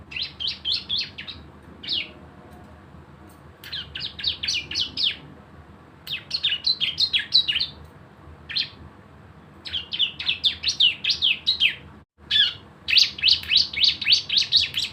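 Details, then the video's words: Javan white-eye (cisem) singing actively in the rapid-fire 'nembak bren' style used as a lure to trigger singing: bursts of quick, high chirpy downslurred notes, about four per second, separated by short pauses. "CISEM GACOR ‼️ SUARA NEMBAK BREN PANCINGAN BIAR BUNYI"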